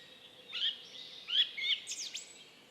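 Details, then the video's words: A song thrush in Estonia gives a few short, bright, high whistled phrases with quick chirpy notes, separated by brief pauses, over a steady hiss of background noise. "Song thrush"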